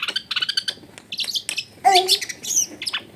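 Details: Long-tailed shrike lure song meant to stir a lazy bird into singing, taken at home in a busy neighbourhood: rapid stuttering chirps, then a harsh, raspy squawk and mixed scratchy high notes.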